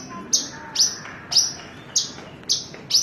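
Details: Horsfield's bush lark repeating a short, high, sharply struck note with a brief buzzy tail about twice a second, over a steady faint hiss.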